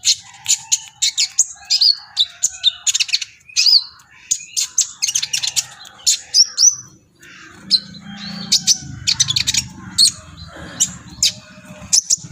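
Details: Brown-throated sunbird in energetic, excited song: dense runs of high, piercing chirps and brief twittering phrases, pausing briefly midway, with a low rumbling background noise entering during the second half.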